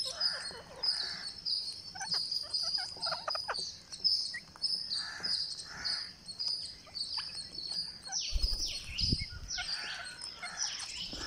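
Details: A green parakeet being fed on day 49 gives rapid, repeated high chirps in uneven bursts. A loud rustling scuffle breaks in just after eight seconds, then the chirping carries on.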